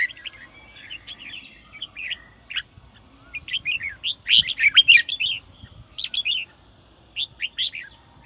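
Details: Red-whiskered bulbul singing in the sổ bọng style, used to stimulate newly caught birds: short, bright, warbled phrases in quick clusters with brief pauses, some harsher buzzy notes in the middle, quiet low rumble beneath.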